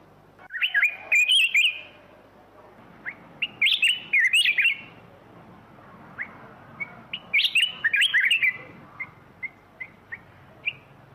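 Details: Black-crested bulbul singing: bursts of bright, liquid warbled phrases, rising and falling, in three loud groups with short whistled notes between, some loud phrases distorted, over a quiet background.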